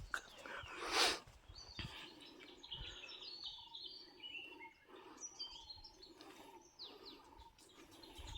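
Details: Several small birds chirp and twitter at once in a steady, high, overlapping chorus on Sathuragiri hill, loud when no people are about, with one loud close sound near the start and another bird's different call nearby.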